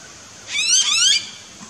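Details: Blue-faced honeyeater in an Australian backyard garden, giving a single harsh, buzzy note lasting under a second. The note rises and then dips, with strong stacked overtones, over a quiet background.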